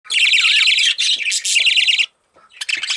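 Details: Baby budgerigar, a pet parakeet, chirping: long harsh buzzy rasping calls, roughly a second each, run almost back to back, then a short pause and another rasp begins.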